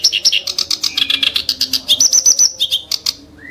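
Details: Kerak basi (reed warbler) song of sharp, harsh bursts: rapid chattering notes, buzzy trills and a high steady whistled run, ending in a short rising note after a pause.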